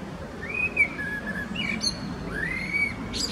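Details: A male common blackbird sings in Switzerland's Zurich canton in February 2017: clear rounded whistles sliding up and down, a short pause, then a long arching fluted note, with faint high squeaks and a soft low rumble.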